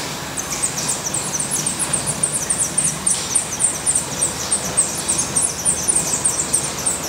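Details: At a Black redstart nest in Portugal, very high, thin notes repeat rapidly and unevenly for the whole stretch, several overlapping at times, against a constant low hiss.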